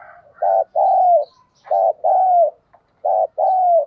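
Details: Spotted dove kept as a decoy, singing its complete song to prompt other doves to coo: three repeated phrases, each a brief throbbing coo then a drawn-out, gently descending one, roughly every 1.3 seconds.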